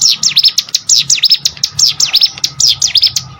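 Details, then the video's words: Prinia, local name cigun or prenjak gunung, song used to train contest birds: brisk high whistled notes sliding down and up in quick V-shaped strokes, tumbling closely together. "CIGUN ATAU PRENJAK GUNUNG!!!"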